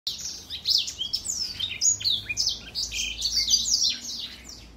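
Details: An older black-throat sings, recorded in 2021: a dense, fast run of high twittering notes with rapid up-and-down sweeps and short buzzy bursts, packed closely together with almost no pauses.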